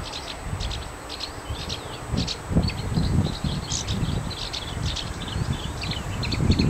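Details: A singing Marsh warbler in Ronald Reagan Park, Gdańsk Przymorze, Poland, delivering a rapid, varied stream of high chattering and whistled notes, over heavy low rumbling wind noise.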